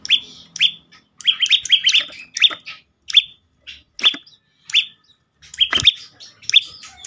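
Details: Prinia, a recording played to stir other birds into song: loud, high, clipped chirps in quick clusters, then single notes with clean silences between, plus one sharp click.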